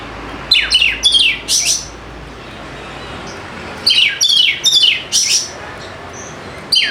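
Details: White-rumped shama, a lure recording to make lazy, quiet birds start singing: two bursts of loud, varied phrases with sharp downslurred whistles and rapid chattering notes, separated by a short pause.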